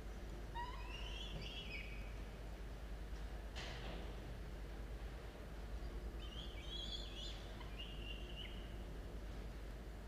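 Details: Two falcon chicks, 17 and 13 days old, in a university-mounted nest box on 27 October 2022 at dawn give two separate bouts of hoarse, wavering calls, with a brief knock between them and constant low hum.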